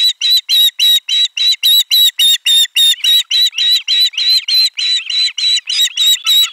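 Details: Osprey calling at nest 4 during a midday fish delivery, 12 July 2022: loud, clipped whistled notes repeated rapidly and evenly, roughly three and a half per second, through the whole stretch.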